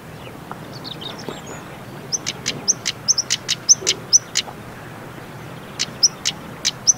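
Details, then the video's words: Female European stonechat calling in autumn, 17 October 2021, in the Golfe du Morbihan Regional Natural Park, Brittany, at 23°C: sharp clicking 'tsak' notes like knocked pebbles, several per second, mixed with thin high 'hweet' whistles. "TARIER Pâtre/Femelle/Cris/Automne"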